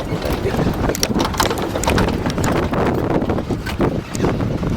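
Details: Strong wind buffeting and a rumbling vehicle engine during a jungle safari drive, with no animal voices heard.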